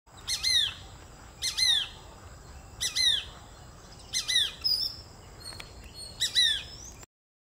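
A Shikra gives sharp, harsh, high calls in short bursts, repeated about every second and a half, over a thin, steady high hum.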